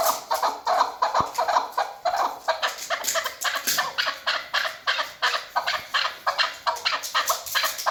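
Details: A female chukar, used as a hunting call, gives a rapid, steady series of harsh clucking notes, several per second, running together into a scratchy chattering rhythm.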